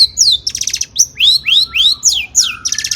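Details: Agitated long-tailed shrike song used to rouse other shrikes: bright downslurred whistles alternate with fast buzzy trills, several sweeping notes in quick succession over three seconds.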